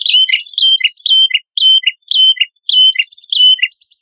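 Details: Ashy tailorbird in full song for songbird training, giving a fast repeated phrase about twice a second: a high sharp note, a level whistle, then a falling tail, with faint ticking in between.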